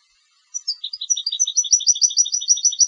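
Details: Competition European goldfinch song: a few sharp high notes open into a fast, steady run of liquid twittering double notes, repeated about five times per second.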